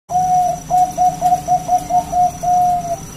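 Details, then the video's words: Local wild zebra dove singing loudly to lure other doves into answering: a long level coo, then a rapid series of short even-pitched cooing notes and a final drawn-out note, with a steady thin high whine in the background. "PERKUTUT GACOR SUARA PALING AMPUH UNTUK PANCINGAN BUNYI BURUNG PERKUTUT AGAR NYAUT GACOR"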